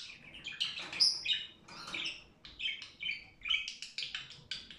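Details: Cheerful budgerigar song made of rapid chattering phrases, squeaks and short whistled notes, delivered in quick uneven bursts with brief pauses between groups.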